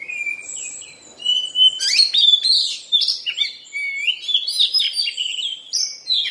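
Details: Kacer, an Oriental magpie-robin in moult, pouring out a continuous jumble of clear whistles, slurred notes and scratchy trills at a fast pace.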